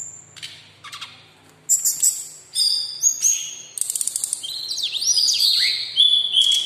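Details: Singing local brown-chested jungle flycatcher kept in a cage delivers high pure whistles, buzzy clusters and rapid staccato notes, building into swooping downslurred phrases in the later seconds.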